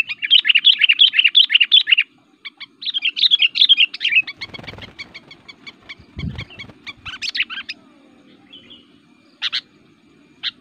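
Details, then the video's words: Sooty-headed Bulbul in active fighting song, used to call bulbuls in the forest and as a tutor song: two seconds of dense chattering, more slurred phrases, a fast clicking series, a dull low thud, then scattered sharp notes. "burung kutilang gacor, super fighter, ngotot aktif bikin emosi"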